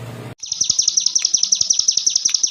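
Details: High, fast ciblek gunung 'ngebren' song, a master track for songbird training: after a brief noisy start, a clean run of sharp downward-slurred notes repeats evenly, about eight per second.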